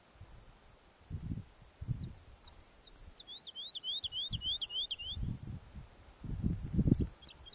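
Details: Woodlark song: a quiet run of short notes that builds into a louder series of rapid, rolling, slurred notes. Repeated low thuds of wind or handling noise come before and after.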